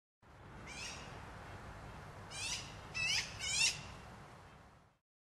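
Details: Magpie beside Two Jack Lake on an October 2015 morning. It gives a single harsh, rasping burst, then after a pause three quick scratchy chattering bursts in close succession, over quiet outdoor hiss.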